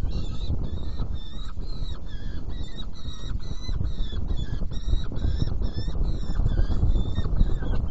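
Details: Feeding at a saker falcon nest box on 17 June 2018, 10:31: insistent, grating calls run on without a break through the whole stretch, each short and harmonic-rich, with a steady low rumble underneath.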